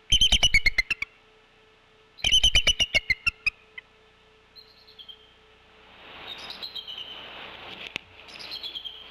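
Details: Wild Bald Eagles at a Decorah nest in winter, 16 February 2024, calling during a brood shift change as the female leaves the eggs and the male answers off camera. Two bursts of rapid, high, piping chatter notes that descend, then rushing background noise.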